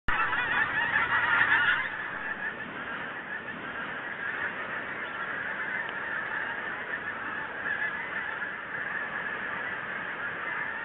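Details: Geese flying south as winter approaches, a flock honking together: a dense, continuous wash of overlapping nasal honks, loudest in the first two seconds, then steady, with no clear gaps.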